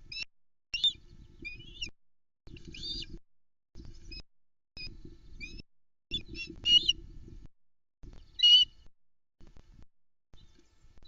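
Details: Nest-cam recording, Arkaig Community Forest, 14 June 2020: a female osprey with chicks squeaks excitedly as the male brings a large whole trout; scattered high, thin, wavering squeaks, some in quick pairs, over a low rumbling background with bumps and handling noise.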